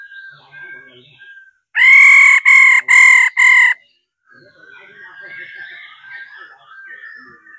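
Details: Faint warbling song surrounds a female laughingthrush's 'ro' call, which prompts males to sing: four loud, harsh, evenly spaced nasal notes in a burst of about two seconds.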